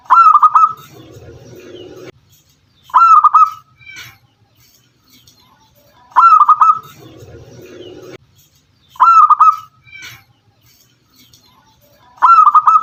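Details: Zebra dove of local stock (perkutut lokal) giving repeated rolling, trilled coos every three seconds or so, soft low rumbling and faint noises between phrases.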